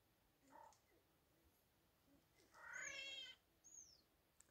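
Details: A ruffed grouse in Myra Canyon gives a harsh, cat-like mewing squeal about half a second long, with a short lower note before it and a thin high whistle after.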